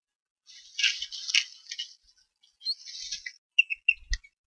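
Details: Bald eagle eaglet at the Harrison Bay nest on 5 May 2015, filmed by nest camera while trying to feed itself after the parent ate without sharing; rustling, scratchy high bursts, then a few short piping chirps near the end.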